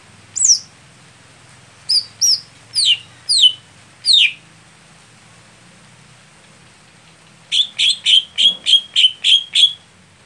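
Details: Greater green leafbird used in song competitions, noted as slow to get going, sings five separate falling whistles, then after a pause a rapid series of about nine bright, evenly repeated notes on a steady high pitch; faint hum beneath.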